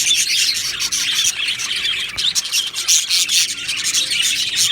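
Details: A happy budgerigar colony in an aviary chatters nonstop, a dense wash of high chirps, squeaks and warbles with no pause, many birds calling together.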